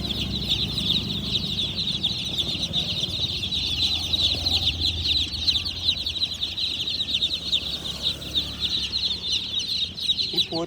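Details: Tiny black and white chicks making funny noises: a dense, continuous chorus of high cheeping from many chicks, with people talking nearby and handling sounds.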